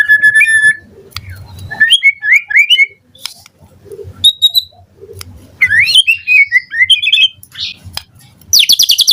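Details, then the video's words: Morning lure song of a white-rumped shama (murai batu), meant to make other shamas answer: loud varied whistles, rapid sliding trills and looping notes, with short harsh rattles and a final buzzy burst. "Pancingan Murai Batu PAGI HARI EFEKTIF Bikin NYAUT RESPON Suara Burung Murai Jadi Gacor Full Isian"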